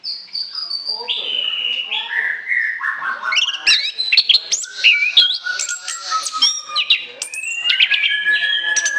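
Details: Orange-headed thrush singing for use as a lure. The song opens with long, steady, descending whistles, then turns into a busy run of mixed chirps, trills and slides that builds steadily.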